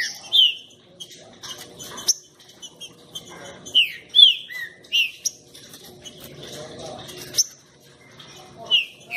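Green-winged saltator giving short, clear whistled notes that slide downward, spaced a second or two apart, with sharp clicks and knocks between them.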